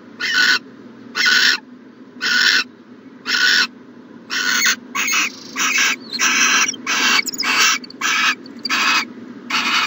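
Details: Owl at a nest box in the morning, recorded between 4am and 1pm on 1-14-20; harsh, broadband hissing screeches about half a second long, repeated irregularly, sometimes in quick succession, over a steady low hum.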